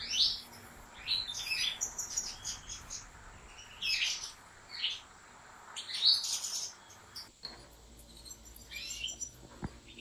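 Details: Captive European goldfinch from a top breeder's line singing bright twittering phrases of high chirps and trills for about seven seconds, then falling quiet after a sharp click.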